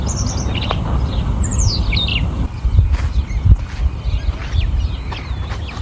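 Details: Rufous-tailed Scrub Robin in Bahrain, perched in a tree close by, singing in short bursts of high, sweet notes that slide downward, over a heavy low rumble of wind and background noise.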